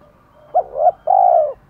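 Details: Spotted doves of both sexes cooing to provoke a male: a quick rising two-part note followed by a long, even, mellow coo that fades gently at the end.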